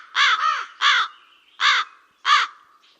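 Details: Black crow giving a double caw, then three more harsh, hoarse caws at uneven intervals, with nothing else audible.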